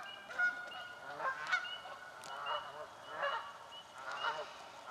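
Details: In a swamp, Canada geese squabble over nesting spots: loud honks come in bursts about once a second, mixed with other calls and a faint high whistle.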